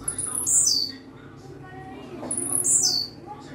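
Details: Blue-black grassquit singing: two high, buzzy, downward-sweeping phrases about two seconds apart, over a low background hum.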